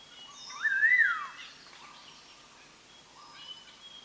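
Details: Black-hooded laughingthrush song for bird trapping: one clear whistled phrase climbing, wavering and then sliding down, followed by faint scattered whistles and a steady background hiss.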